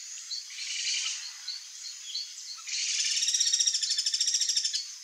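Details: Ringed kingfisher in the wild gives a long, harsh, pulsing rattle of over two seconds, preceded by a softer rattling burst, with bird chirps and a persistent insect drone.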